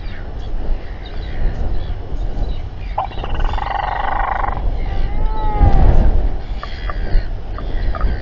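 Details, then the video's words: Royal albatrosses in New Zealand, gathered in a stressful group with a fight, 7:42 pm on 27 January 2021: braying harmonic calls midway, then falling, wavering arched notes over steady wind rumble. "Royal Albatross~Stressful Albatross Party and fight"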